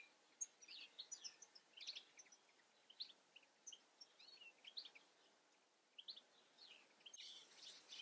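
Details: European goldfinch in the Eifel, giving sparse high chirps and short twittered notes with brief pauses between them, in a quiet outdoor setting ending with a burst of hiss.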